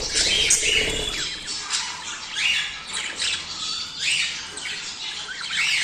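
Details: Budgerigar mating chatter for stimulating breeding: rough squawks and short downward chirps from several birds, rising and falling in bursts, with a slightly louder squawk near the start.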